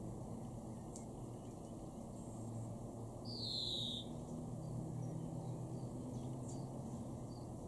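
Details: May 2021 garden recording from Weener, East Frisia: a greenfinch utters a single drawn-out descending wheeze after three seconds, with a few faint ticks and a persistent low drone.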